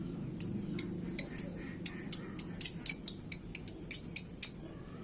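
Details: Lovebird hung in its cage in hot singing form, said to stir up other birds: a steady string of sharp, high, clipped chirps, about four per second, with a faint low hum underneath.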